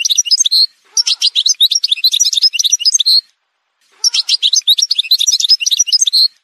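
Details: Two long bursts of dense, jingling Algerian goldfinch song, each about two and a half seconds, separated by a clear pause.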